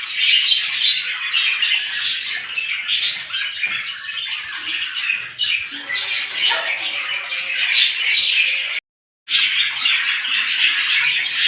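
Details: Crowd of small birds chattering in the morning, continuous high-pitched chirps and squeaks, briefly cut to silence near the end before the chatter resumes.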